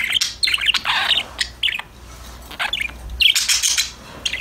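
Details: Several happy budgerigars playing and chattering to each other in quick bursts of high, scratchy chirps and warbles, overlapping, with brief pauses between outbursts.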